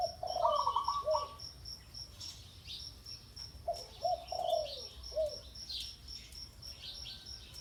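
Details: Spotted dove heard at a ground decoy: a brief chuckling note run, then low cooing phrases with drooping ends, separated by a quiet gap filled with a regularly pulsing high insect buzz.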